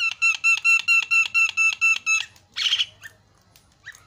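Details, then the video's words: Javan myna vocalising for a lure recording to restart a non-singing myna: about nine rhythmic, nasal, ringing notes in steady succession, followed by one harsh rasp and quiet. "MASTERNYA JALAK KEBO PALING MENGGODA"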